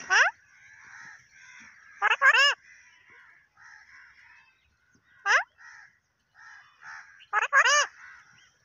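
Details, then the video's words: Pakistani parrot said to talk in Urdu, loud harsh squawks in tight pairs and singles, each sweeping down in pitch, separated by a quieter steady chatter. "Pakistani parrot talking in urdu"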